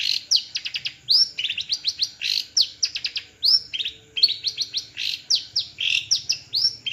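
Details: Long-tailed shrike perched on a single stand, Madura type, delivering a busy high chattering song of rapid sharp chips, rising slurred whistles and harsh notes in quick varied bursts.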